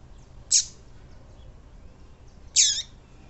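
Two short, high, thin chirps about two seconds apart from a female double-collared seedeater, each a quick bright note, over faint background hiss.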